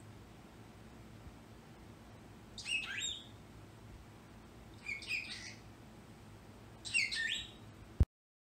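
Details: Pet bird indoors yelling: three short, harsh screechy bursts, about two seconds apart, over a steady low room hum, ending with a sharp click.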